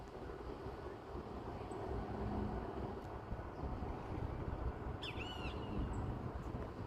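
A Southern lapwing gives one brief, harsh, ringing shriek near the end, over steady low wind rumble and engine-like noise.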